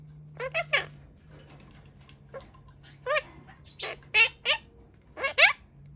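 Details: Pastel blue monk parakeet imitating speech in short, wavering, word-like bursts, several in quick runs over six seconds, with a low steady hum behind.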